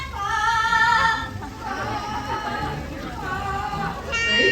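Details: Gab, a female yellow-headed Amazon from Central America, sings in an operatic style with sustained, wavering, voice-like notes, followed by a person's praise and a final bright phrase.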